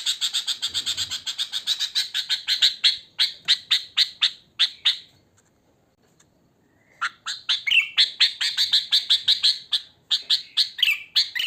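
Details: Natural wild sooty-headed bulbul, recorded for luring bulbuls: fast repeated squawky notes in a steady stream, then about two seconds of silence, then the rapid chattering resumes with a few rising, slurred notes.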